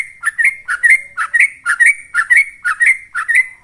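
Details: Yellow-vented bulbul singing in the rapid ropel style, used as a lure to excite kept birds: short, bubbly whistled phrases of two or three notes, repeated briskly twice a second with no other sounds.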